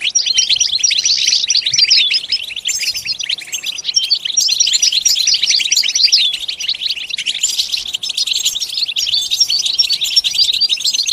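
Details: Continuous high, tinkling goldfinch song, a crowded stream of short chirps, trills and twitters with no clear pauses, running for the whole stretch.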